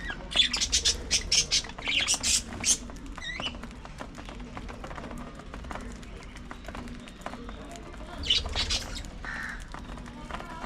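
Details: Budgerigars (parakeets) at early morning feeding time: short scratchy chirps and brief warbled notes, with bursts of busy chatter near the start and around eight seconds, over steady clicking and tapping sounds.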